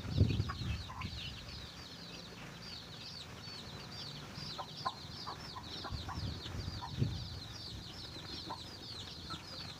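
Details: A chicken finds food for its chicks; steady shrill peeping from many chicks fills the recording, with scattered soft clucks and heavy low thumping near the start and around seven seconds.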